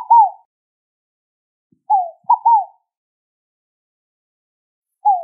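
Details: Scaled dove song, higher-pitched than the picazuro pigeon's: soft cooing phrases of one falling note and a quick paired follow-up, one full phrase mid-clip with partial phrases at both ends, otherwise silent.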